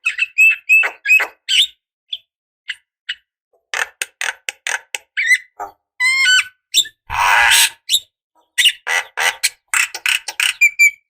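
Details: Javan myna, a female calling a male, used as a decoy to make other birds answer: loud harsh squawks, clicks and whistled notes in rapid irregular bursts, with a brief noisy rasp midway.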